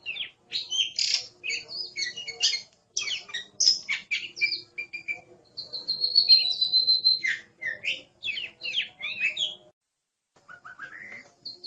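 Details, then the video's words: Oriental magpie-robin song recorded as a masteran for training songbirds: quick varied chirps and twittering phrases, a sustained pure whistle in the middle, then more mixed notes and a brief quiet gap before softer rising calls. A faint background hum. "Suara Burung Kacer | Gacor"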